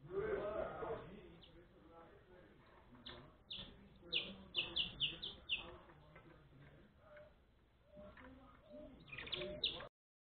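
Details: Saffron finch chick being fed, giving a run of short, high, sharp chirps in a quick cluster mid-clip and again near the end, over steady background talking and household noise.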